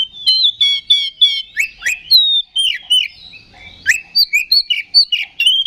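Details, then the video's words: Kept Oriental magpie-robin delivering fighting-provocation song: repeated trilled chirps, then downward-slurred whistles and rich varied phrases, loud and clear with little background noise. "KACER GACOR NGEPLONG TARUNG !! PANCINGAN KACER PALING AMPUH BUAT MENAIKAN EMOSI KACER AUTO RESPON"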